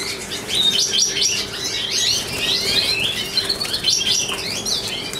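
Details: A male satinet-mutation European goldfinch, hatched 2013, a breeding bird carrying the white-head trait, sings a fast, continuous, liquid twitter of high tinkling notes and buzzy trills over a low steady hum.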